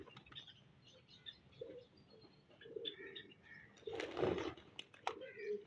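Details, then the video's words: Pet pigeon kept indoors at home, recorded in the morning; a few low, soft cooing notes come at irregular intervals, with high chirps from other birds throughout and a loud rustling burst near the middle. "#morning with my piegeon"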